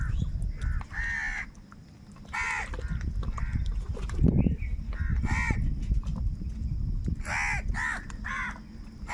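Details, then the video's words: Crows fighting for food call in scattered harsh caws, single and paired, over a constant low rumbling background with irregular gaps of quiet. "Angry kauwa ki awaaz | Very loud voice of crow sound | Crow bird Fight for Food"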